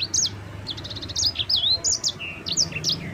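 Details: Sanger or mozambik (yellow-fronted canary) delivering clear, continuous rolling ngerol song. A fast ticking series opens into looping whistled slurs, buzzy swoops and sharp high notes in an almost unbroken stream, over a faint low rumble.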